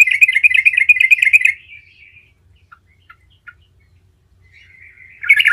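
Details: A yellow-vented bulbul, used as a lure call to make other bulbuls respond, gives a fast, rolling burst of bubbly chattering notes for over a second, trailing off into near silence before the chatter starts again.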